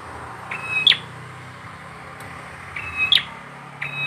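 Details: Bar-winged prinia (peranjak, ciblek) gives a thin level whistle ending in a bright upward chip, repeated three times over a hissy background with low rumble.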